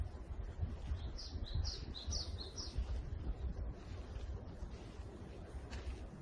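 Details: Japanese tit in the morning forest gives a short burst of alternating high and lower whistled notes, about five pairs in quick rhythm, then falls silent, leaving a steady low rumble and faint distant noise.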